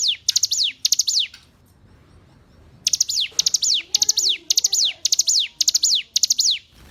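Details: Hill prinia song for tutoring caged birds: a couple of high clipped phrases, a silent gap of about a second and a half, then a fast steady series of ticking notes each trailing into a falling slur.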